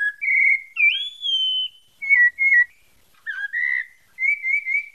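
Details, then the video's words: Pale-breasted thrush of Bahia singing varied whistles: a level note, a rising sweep into a long high whistle, short paired notes, a downslurred phrase, and a final trilling whistle; nothing else audible. "SABIÁ PARDA DA BAHIA SANTA FÉ"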